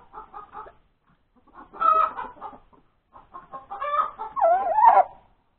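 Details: Chicken hen cackling after laying an egg, January 31, 2021, at breakfast time. Soft short clucks come first, then louder squawking bursts. The clip ends in a long, wavering, high-pitched cry.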